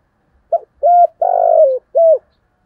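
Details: Decoy spotted dove urging wild rivals to fight: brief opening coo, steady mid-pitched coo, long throbbing coo dropping at its end, then a final level coo, with near-silent surroundings.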